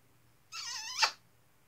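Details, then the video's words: Pet macaw, indoors after his shower: one drawn-out nasal, voice-like vowel about half a second long that ends in a sharp, louder squawk, in a quiet room. "Macaw Zeke talks Alot"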